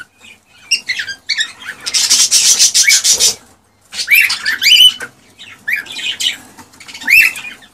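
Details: Male cockatiel in excited song meant to stimulate a female to mate: a long raspy, noisy chatter followed by upslurred whistled chirps and scratchy notes.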